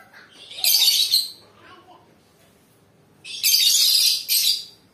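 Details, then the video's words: Singing lovebird giving two loud bursts of rasping, high twittering chatter, the second longer and split in two, separated by a long quiet pause. "Suara kicauan Lovebird"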